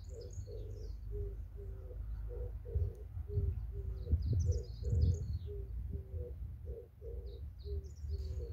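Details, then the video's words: Pigeons cooing on a fresh morning, heard through an opened window: soft low repeated coos roughly every half second, with high chirps from other small birds and a steady low rumble of background noise. "상쾌한아침 새소리와 비둘기 소리"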